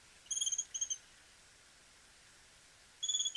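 Chestnut-crowned Becard giving high, thin notes in quick pulsed bursts: two short runs close together, then a pause and a third. The background is quiet.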